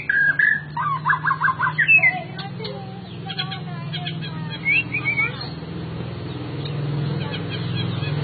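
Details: White-rumped shama (murai batu) kept as a collection bird: a clear whistled opening note, then a quick run of five repeated chirping notes, followed by sparse sharp clicks and short twittering phrases over a steady low hum.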